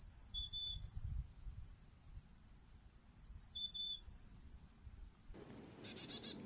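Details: Carolina chickadee singing clear whistled notes that alternate between higher and lower pitches, two short phrases about three seconds apart, with a brief rustling noise at the end.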